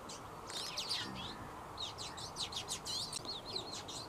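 A twite gives two bursts of fast, high twittering with quick rising and falling notes and a few nasal buzzes, over a low background hum.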